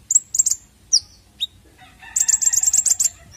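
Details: Konin bird lure for untrained birds: doubled high chirps and two falling whistles, then a fast chattering burst of repeated notes.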